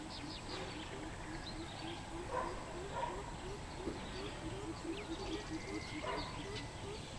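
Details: Greater coucal on 13 June 2020 giving a prolonged sequence of low, hollow hooping notes at a quick regular pace, while other birds chirp and whistle sporadically over a noisy outdoor background.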